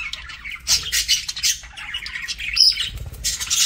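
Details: Parakeet during a meal: loud harsh squawks and buzzy chatter pulse several times a second, with a thin high whistle near the end.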